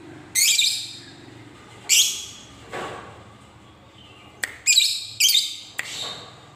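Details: Lovebird giving harsh, rasping screeches in short bursts, some single and some in quick pairs, separated by quiet gaps, with faint room hum behind.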